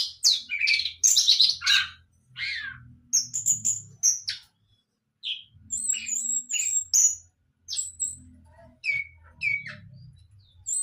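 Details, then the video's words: Young orange-headed thrush learning to sing, giving loud slurred whistles at first, then softer thin notes and scattered chirps, with low background hum and pauses. "Burung Anis merah muda belajar mabuk"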